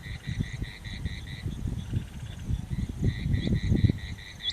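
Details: A rain quail recorded on 9 January 2023 gives a fast run of sharp, metallic notes, about four a second, pauses, then resumes, over low rumbling background noise.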